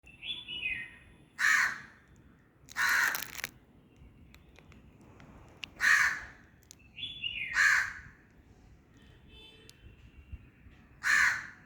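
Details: Crow giving loud, harsh caws spaced a second or two apart, about five in all, each a broad rasping burst, with thinner whistled notes slipping in between; quiet outdoor background.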